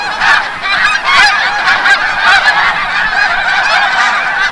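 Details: Large flock of snow geese coming back from the bay at sunset, Forsythe National Wildlife Refuge, New Jersey; loud, continuous chorus of harsh, barking honks overlapping without pause.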